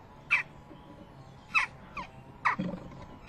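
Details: Western jackdaw fledgling at a nest box on 12 June 2015 around 11:19, the day it fledged, begging as both parents bring food: short, harsh, downward-slurred calls repeated about once a second, with faint low knocks in between.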